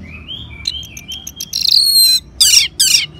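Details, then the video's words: Ngeban-style song of an orange-headed thrush, a caged bird used to coax others into singing: soft rising whistles lead into buzzy high phrases and two loud rasping bursts. "Suara Ngeban Untuk Pancingan ANIS MERAH Jitu Membuat Burung Gacor"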